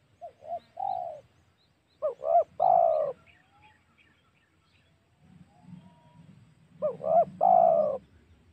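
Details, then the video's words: Spotted dove used as a lure call to provoke wild doves for hunting, at home or in the forest, Indonesia: two phrases of short, mellow cooing notes ending in a longer drawn-out coo, separated by a pause with low rumbling background. "SUARA PIKAT MEMANCING EMOSI SEMUA TEKUKUR//COCOK UNTUK BERBURU"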